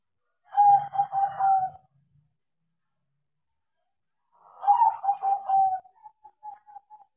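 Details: A tame zebra dove of perkutut crossing stock, trained to sing, repeats its rolling coo phrase twice about four seconds apart, the second followed by a string of short, soft clipped notes. A faint low hum accompanies the first phrase.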